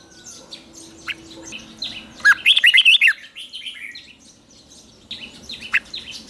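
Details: Red-whiskered bulbul in morning training, a clear run of several quick warbled whistles in the middle, set among busy chirps and calls from other birds around it.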